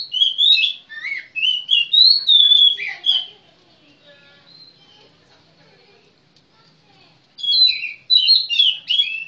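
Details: Kacer or magpie-robin pouring out a lively sequence of whistled and warbled notes for about three seconds, a quiet stretch with faint murmuring, then another burst of rapid varied whistles.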